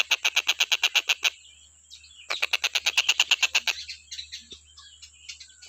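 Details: Stork-billed kingfisher in continuous song used to tutor other cage birds: a fast run of grating, hoarse notes, then a pause and a second rattling burst that fades into scattered softer notes. A constant faint high tone persists.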